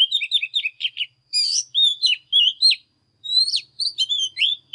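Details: Excited morning singing from an Oriental magpie-robin with display: quick clustered chirps, then a burst of dense buzzy notes, then clear looping whistles, with a short silence before more sweet, wavering phrases.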